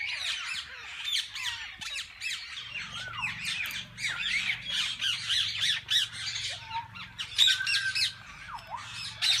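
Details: Parakeets in a walk-in zoo aviary chatter nonstop in a dense flock, a harsh overlapping mix of squawks, chirps and rising whistles with no pause, plus a low hum beneath.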